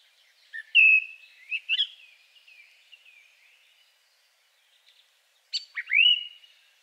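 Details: Second male song thrush giving a very simple song with a few unusual sounds: clear whistled and slurred notes, a short pause of near silence, then a sharp downward-sweeping whistle rising again.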